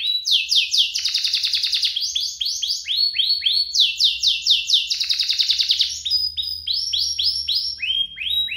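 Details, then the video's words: Canary duo singing to prompt and tutor other canaries; repeated phrases of rapid descending notes alternating with buzzy rattles, about four notes per second, loud and continuous. "Kompilasi DUO GACOR, cocok untuk pancingan kenari biar gacor, masteran kenari paud"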